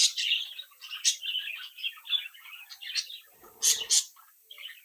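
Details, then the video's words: A brood of captive budgerigars twitters and warbles in fast, overlapping high notes; a few louder sharp chirps stand out near the end, with a faint low clatter beneath them. "Sonidos de Mi Cría de Periquitos Australianos"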